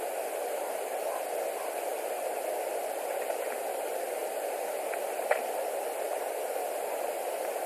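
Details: Steady broadband hiss and hum with a single faint click, and no animal call heard.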